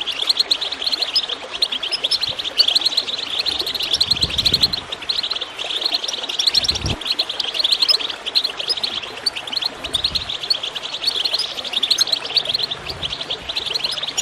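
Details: Goldfinch twittering used to encourage birds to sing: constant high chirps and trills over gurgling water, with a few louder low splashes at intervals.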